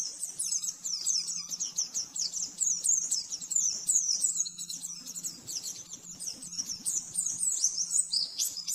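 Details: Oriental white-eye delivering fast 'nembak-nembak' song for training caged birds: unbroken high, sharp twitters and rapid slurred trills running almost without pause, with a steady low electrical hum beneath.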